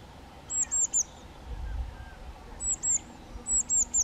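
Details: Two young White-tailed Eagles: short runs of three high, thin, piping notes, each bending slightly, heard twice after a pause, over faint low background rumble.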